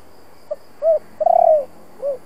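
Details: Spotted dove singing the 'kích bổi' local-voice ('giọng thổ') coo to stimulate decoy doves. One clear phrase: tiny introductory note, arched coo, long pulsing coo that drops at the end, and a final arched coo, with light background hiss.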